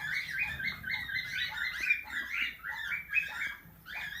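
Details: Tame plum-headed parakeet that talks, mimicking speech, giving a steady stream of squeaky, chattering syllables in rapid succession, each slightly wavering in pitch, with small pauses between bursts.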